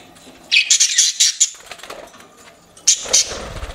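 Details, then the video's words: Pet budgies giving a fast string of high, scratchy chirps, a pause of soft chatter, then two more loud chirps and a brief low thump. "CUTE PET BUDGIES CHIRPING"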